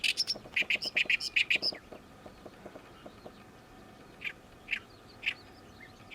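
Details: Oriental reed warbler, a summer visitor arrived this season, chanting noisily: a fast opening string of grating, rasping gyo-gyo notes and sharp accents, then slower, widely spaced harsh single notes.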